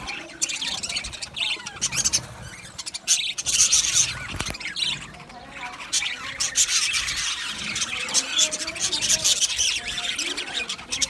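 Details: Male budgerigars in an aviary colony, recorded 8 December 2025, chattering together in a dense, continuous mass of high chirps, squawks and warbles, with a brief lull near the middle before the busy chatter resumes.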